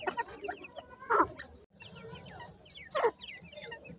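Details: Grey francolin chicks calling: a busy stream of thin, high, downslurred peeps overlapping one another, broken by a few louder, harsher clucking notes about every two seconds, with a low background hum.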